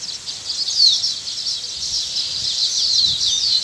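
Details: Sparrows at their nest: a continuous busy chatter of high, thin chirps and short descending tweets, overlapping densely throughout with a faint low rumble underneath.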